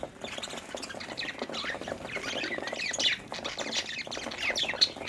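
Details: Budgerigars, happy and playing, chattering with dense warbled chirps and squawky notes, many overlapping voices in a continuous flock-like babble with short louder bursts.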